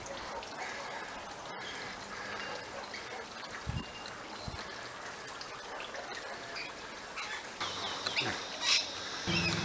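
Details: A flock of Rainbow lorikeets feeding on seed pods in backyard Chinese lantern trees keeps up a dense, shrill chatter of overlapping screechy calls, with a few low thumps and bumps in between.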